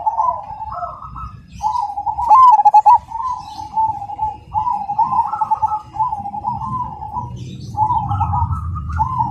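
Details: Black Cemani zebra dove in full song, rhythmic, big, loud and clear: a string of mid-pitched cooing phrases of stuttered notes and drawn-out level coos, with a brief clatter near the middle and low rumble beneath.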